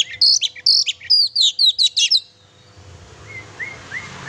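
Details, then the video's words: Oriental magpie-robin singing to stir up a pet bird: a fast run of about nine high, sharp chirped notes over two seconds, followed by a faint series of short rising whistles. "kacer gacor sangat cocok buat memancing emosi burung kacer kesayangan kamu"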